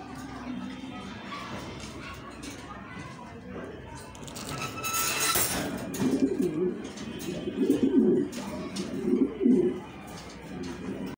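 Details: A blue bar racing pigeon gives low, throaty coos in soft repeated bursts.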